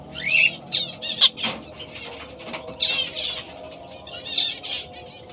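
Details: A female fawn zebra finch of the black-breasted, orange-breasted colour form gives short, nasal, high-pitched chirps in quick, uneven bursts.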